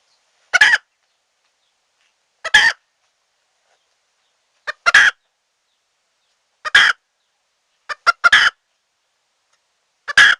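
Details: Wild red junglefowl hen call used to attract birds into a trap that has caught many. Single or doubled raspy clucks repeat roughly every two seconds.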